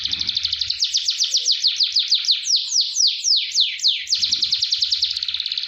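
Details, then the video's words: Fast canary roll song played as a tutor to train other canaries: rapid, evenly repeated high notes, then slower descending sweeps, then a quick trill again. Faint low thumps sound at the start and near the end. "Masteran KENARI GACOR Roll SPEED"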